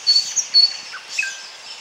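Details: Common chaffinch (Fringilla coelebs) singing in Bryansk, Russia: song fragment of a few thin, high, sharp notes, then a lower whistled note slurring downward near the end, with faint background hiss.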